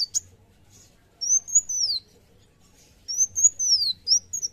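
A sunbird sings very high, thin, arching whistled phrases, each under a second, given twice with a short pause between; a faint low hum sits underneath.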